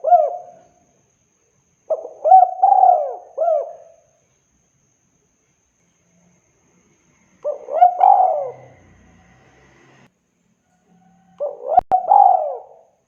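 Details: Spotted dove call used for luring, clean cooing phrases of hooked short notes and a longer coo, four phrases spaced by pauses, with a faint low rumble and a sharp click late on.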